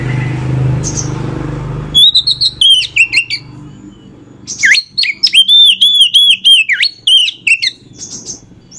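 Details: Female Oriental magpie-robin singing to provoke males into song: low rumbling background at first, then repeated bursts of loud, varied whistled notes, some dropping and rising, with brief breaks between phrases.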